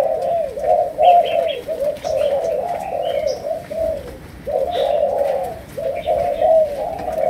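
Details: Malaysian-type spotted doves kept by a breeder, giving a 'chiêu gù' coo in the 'sấm đồng' style: low, mellow coos repeated in long overlapping phrases with brief pauses, and faint higher chirps from other small birds.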